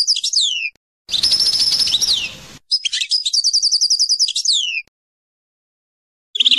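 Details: European goldfinch song notes, shown as examples of named note types: sharp descending twittered notes, a buzzy tinkling phrase, and a fast run of evenly repeated trilled notes, separated by silences.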